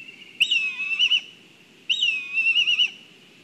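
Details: Black kites (Milvus migrans) in Kurzeme, Latvia, from a live stream of a food delivery: two loud, whinnying calls about 1.5 s apart, each a sharp start trailing into a quavering whistle, over a low rumble.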